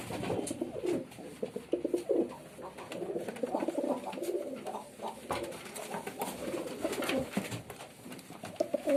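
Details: Performing male pigeon amid busy cooing, with overlapping low gurgling coos throughout, interrupted by sharp clicks, scraping and flutter-like noise.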